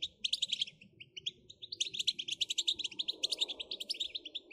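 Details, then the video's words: European goldfinch song played to excite goldfinches into singing nonstop: dense high twittering phrases, rapid jingling notes in quick bursts with brief gaps, faint low background murmur. "بتبتة نااار يا حبييبي ناااار لتهييج الحسون ستجعله يغرد من دووون انقطاع"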